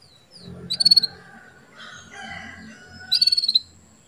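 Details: Female canary chirping to bring a male into breeding condition: two quick stuttered bursts of high, even chirps about two seconds apart, over a low rumbling background with softer twittering between.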